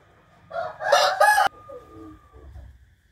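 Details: Rooster crowing on a morning of 8 April 2021: a short, loud, harsh crow broken into quick syllables and cut off abruptly, followed by a thin sustained tone and soft clucks.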